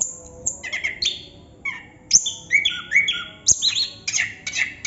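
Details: Chestnut-capped thrush in continuous song, mixing clear whistles, short downslurred notes and sharp high clicks in quick varied phrases, over a faint low background hum.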